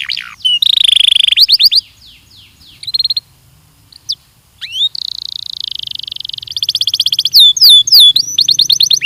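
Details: Belgian canary song used as a training recording for canaries: a varied chain of high phrases, long buzzy trills, rapid repeated chips and rising whistled sweeps, with a short pause midway.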